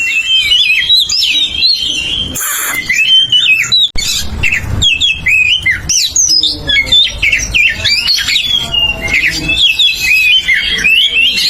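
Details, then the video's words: Oriental magpie-robin singing loudly and continuously, with a varied string of sharp whistles, slurred upsweeps and scratchy chattering notes, broken by a brief burst of noise and a short gap near four seconds. "KACER SUARA Ngeplong Untuk Pancingan Kacer Langsung Bunyi"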